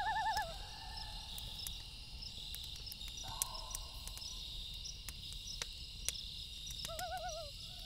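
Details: A loon's quavering tremolo opens, a brief steady wail-like tone sounds midway, and another warbling tremolo comes near the end, all at night amid frequent campfire crackles and cricket hum.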